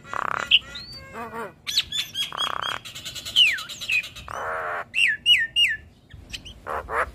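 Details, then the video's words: Gacor song of a Black-winged starling that nods its head while singing, after a stressed spell of reluctance: noisy chattering bursts alternate with clear high whistled notes, several sharply falling slurs repeated in quick series. "Suara Khas Jalak Kebo Gacor"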